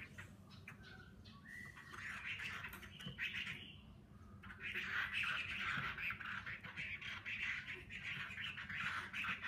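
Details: Wild-caught adult hwamei, moulted once in captivity, in fighting form pours out a loud, rich run of fast whistles and warbled phrases, goes quiet briefly, then returns stronger over a low hum.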